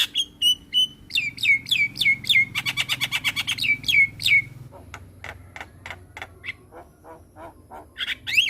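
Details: Javan myna in energetic song for a training recording: clear whistled notes, a fast rattling trill, then a scatter of short clicks and chips.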